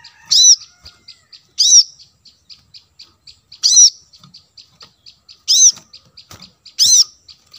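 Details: Plain-throated sunbird, kolibri manggar, in bait audio for wild birds: loud, sharp high notes every one and a half to two seconds, with quiet regular ticking filling the gaps.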